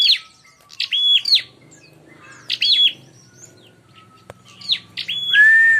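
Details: Bar-winged prinia calls for luring birds to fight: three bursts of buzzy chirps with a flat whistled note, then a lower, drawn-out whistle at the end; faint hum throughout.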